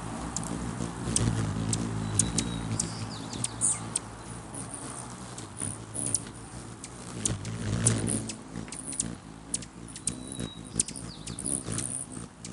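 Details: Rufous hummingbirds jostling to perch on a man's finger, May 20, 2020: frequent sharp high ticks and chips scattered across the whole stretch, with low rumbling and humming noise beneath.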